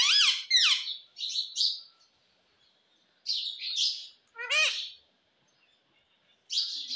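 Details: Pet ringneck parrot trained to talk: short hoarse squawks and bent chirping notes in separated bursts with silent gaps between, in a small room.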